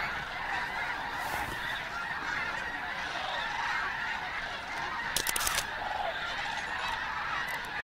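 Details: Large flock of snow geese wintering at Bosque del Apache wetland refuge, New Mexico, mixed with sandhill cranes, gives a dense continuous chorus of overlapping nasal yelping honks, a brief rattling burst near the end.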